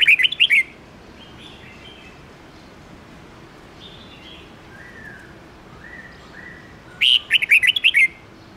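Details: Morning song of a red-whiskered bulbul, 10-12-13 note wild-voice style for young birds to copy: a short burst of sharp chirps, faint distant whistles for several seconds, then another lively chirping phrase.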